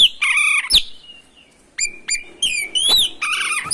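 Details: Oriental magpie-robin (kacer) singing to provoke rivals: a harsh rasping note, then sharp whistles that rise and sweep downward, a short pause, and further bright whistled phrases ending in a buzzy burst.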